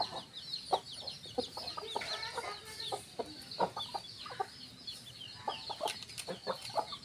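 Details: Hens and roosters in a garden, several birds calling: short scattered clucks and sharp clicks throughout, with a steady high hiss of insects or background noise above.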